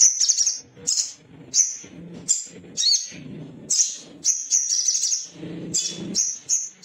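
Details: Little spiderhunter male in an agitated state, seeking a rival: a steady stream of piercing high chit notes, often doubled, delivered at an uneven fast pace, with low knocking sounds between.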